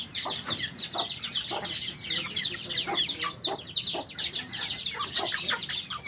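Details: White-eye in full song: very high, quick chirps and twittering trills run together in an unbroken, busy jumble. A faint low rumble sits underneath.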